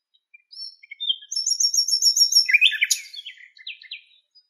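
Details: Western black-eared wheatear in Greek countryside, alongside a female carrying nest material in her bill: high buzzy trilled rows of quick repeated notes, then a scratchy tumbling burst and a few short chirps.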